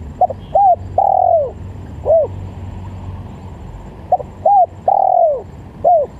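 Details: Spotted dove call used as a lure for doves: a phrase of short clipped coos and one long descending coo, given twice with a pause of about two seconds, over faint low rumble.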